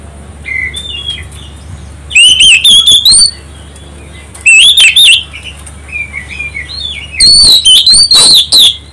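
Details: Oriental magpie-robin song used to provoke other birds to sing: loud bursts of rich whistled phrases with sharp upslurred notes, coming in three clipped loud bouts, with softer distant warbles between and a low steady hum.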